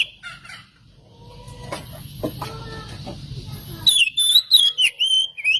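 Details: Oriental magpie-robin song played to provoke other birds: faint scattered notes and low hum, then a loud run of bright, warbling whistles and chirps near the end.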